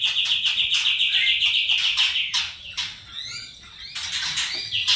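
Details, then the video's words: White-rumped shama singing in the kretekan and trotol style: a fast buzzy rattle of repeated notes held steady for over two seconds, then sharp chirps and falling whistles before the rattle returns. "kretekan Murai Batu seri F trotol bikin Ribut suasana"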